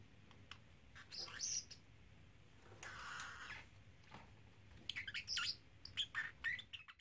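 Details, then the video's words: Young pet parrotlet, a three-month-old male, practising learned phrases at home; bright high chirps and tweets open and close the passage, with a breathy, rasping speech-like utterance in the middle, against a quiet indoor background. "Talking Parrotlet"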